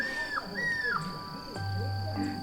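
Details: A White-bellied Antpitta singing at the end of the day in Cordillera Real Oriental forest, Cajamarca, Peru, heard but not seen: two clear downslurred whistles about half a second apart, over a steady high tone and soft music.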